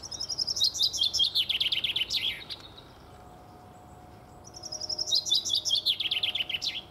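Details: Male common chaffinch singing two full songs: a run of repeated thin whistled notes descending in pitch, ending in a short sharp flourish, separated by a pause of about two seconds.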